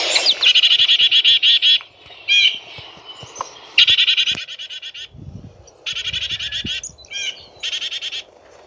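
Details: Black-capped chickadee giving rapid runs of harsh, buzzy dee notes, each burst a quick string of about ten to fifteen notes, several bursts separated by short pauses, with a few softer single chips between them.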